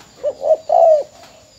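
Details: Spotted dove decoy (mồi mỏ công) from Bến Tre, since sold, utters a single crisp coo phrase: two short notes and a long, slightly wavering final hoot.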